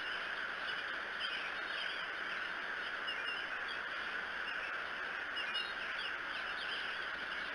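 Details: Morning at the Decorah bald eagle nest, 13 May 2018: a few soft, curling high-pitched notes appear, some in short runs, beneath constant broadband hiss that dominates the recording.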